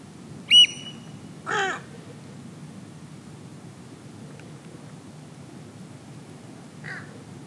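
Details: Light-morph Pacific reef heron on Heron Island, Great Barrier Reef, Queensland, 28 July 2019 at 08:40, gives one harsh croaking squawk, a fainter one five seconds later, after a sharp whistled note over low steady rumble.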